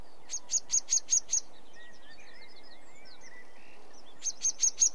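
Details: Sedge warbler singing in short bursts of harsh, rapid chattering notes, a quiet gap with faint thin twittering from other birds, then another brief scratchy burst at the end.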